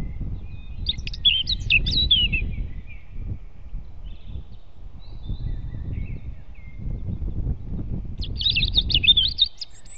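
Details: European robin singing near its nest in a forest at dawn, 8 April 2016: two short bursts of high, twittering, warbled notes far apart, with steady low rumbling noise throughout.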